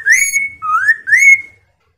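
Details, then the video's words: Chinese hwamei, kept as a cage bird, singing to draw other hwameis into answering and singing: three clear, slurred whistles rising from low to high, each about half a second long, with bright overtones above. "Suara Khas Poksay Mandarin agar Poksay Nyaut dan Gacor"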